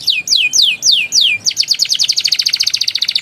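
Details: Canary song used as a lure to get young canaries singing: five loud descending whistled sweeps, then a fast even roll of rapid repeated high notes.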